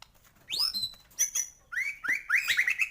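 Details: White-rumped shama in continuous gacor song full of isian fill-in phrases: a rising whistle sweeping high, then short sharp notes, then a fast run of clear whistled chirps near the end.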